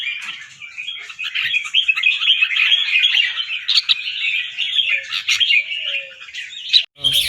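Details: Caged competition red-whiskered bulbul from Chonburi, Thailand, an albino white bird with red eyes, pouring out a long unbroken run of quick trilling, chopped warbles, with a sharp click and brief voice at the very end.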